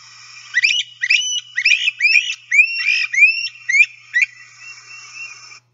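Great Crested Flycatchers calling back and forth: loud, clear, rising whistled wheeep notes mixed with rougher, burry bursts, delivered in quick succession.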